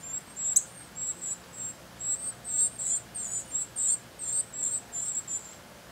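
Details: Northern cardinal nestlings give begging calls as the female brings food to the nest: very high, thin chirps in quick, uneven bursts, about two or three a second, over a faint background hiss.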